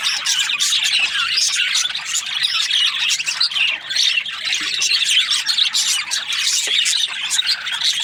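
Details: Happy budgerigar chirping: a dense, nonstop stream of high twittering chirps and scratchy warbles, overlapping constantly with barely a pause.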